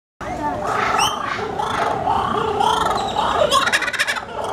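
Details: A laughing kookaburra at Houston Zoo gives a loud, rolling, cackling chorus of hoots that rise and fall throughout, with people's voices mixed in.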